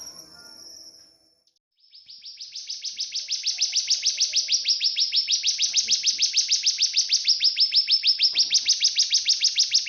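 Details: Cigun used as a master singer for training magpie-robins and white-rumped shamas: after a brief high note, a steady run of rapid, sharp, high-pitched chips builds in loudness, about three per second, evenly spaced.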